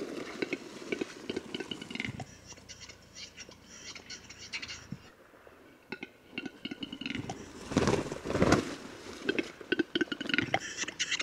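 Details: A Western capercaillie, recorded in Lithuania, gives dry, hollow clicks in loose, irregular runs, with a louder scraping burst near the end.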